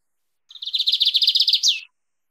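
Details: Lined seedeater song in the 'mateiro' style, used for training or warming up a kept bird: a quick run of high, evenly pulsed chirps lasting over a second, closing with a steep falling whistle.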